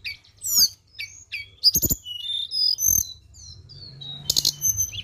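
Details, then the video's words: Flowerpecker song used as a lure: thin, high chirps and short downslurred whistles scattered in quick bursts, several note types overlapping, with a sharp buzzy burst near the end and a faint low hum beneath. "Pancingan Ampuh BURUNG TLEDEKAN"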